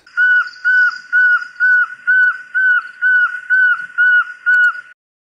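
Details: Southern African Pearl-spotted Owlet giving a steady run of about ten clear, mid-pitched whistled notes, roughly two per second, each slightly arched; no other sounds.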